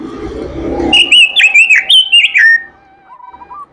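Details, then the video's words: Melodious oriental magpie-robin song: a low rumble gives way to a rapid series of loud, slurred whistles sweeping up and down, about eight notes in a second and a half, fading to quiet lower chirps. "robin suara merdu gacor isihan"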